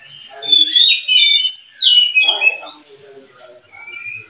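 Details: Oriental magpie-robin breeding pair, the keeper's second pair, with the first pair incubating: loud clear whistled notes, some sliding downward, in quick bursts for about two seconds, then softer scattered whistles.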